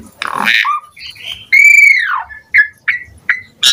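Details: Asian pied starling (jalak suren) in varied isian-filled song. Rough chatter gives way to a bright arching whistle that rises then falls, followed by several short separate whistled notes and a sharp final chip.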